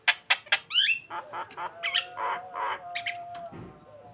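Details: Starling singing to lure another bird: a rapid mix of sharp clicks, a rising whistled sweep, then jumbled chattering and buzzy notes over a steady faint tone, fading near the end.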